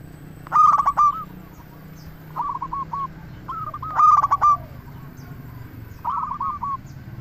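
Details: Zebra dove song used to lure others, local bird: two loud bubbling coo phrases about three and a half seconds apart, answered by softer cooing from other doves.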